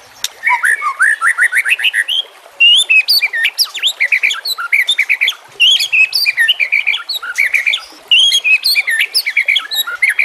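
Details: Energetic white-rumped shama song meant for tutoring other shamas, over nature sounds and flowing water; dense run of fast rising whistled notes, crisp chips and varied warbled phrases with brief pauses, loud throughout.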